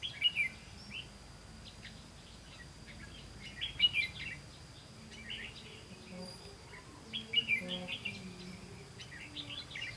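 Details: Red-whiskered bulbul song from a decoy bird during trapping, 18 September 2016; brief chirpy bursts spaced a few seconds apart, each a quick cluster of whistled notes, with faint low tones and background noise between.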